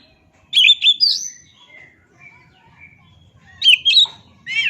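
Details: Oriental magpie-robin singing two short bursts of sharp, high whistled notes separated by a few seconds of near quiet, then a brief rising slurred note at the end.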